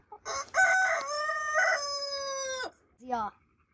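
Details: Rooster crowing at a 2022 crowing competition: one loud, drawn-out, harmonic crow of about two seconds, held steady after a rough start and dropping at the end, then a brief falling call a moment later.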